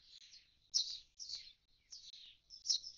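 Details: Common starling at an empty nest box after fledging, a brief burst of scratchy high notes and clicks.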